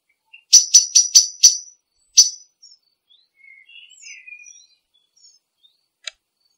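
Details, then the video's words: Common blackbird giving a rapid series of five sharp, metallic clicking notes, then one more after a short gap, followed by soft, thin twittering and a final single click. "تغريدة طائر الشحرور black bird"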